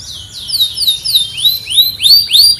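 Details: A canary sings a fast, high run of sweeping whistled notes, the rising and falling phrases repeated several times a second, with no other sounds; a competition-style bird from Pemalang, Central Java, Indonesia.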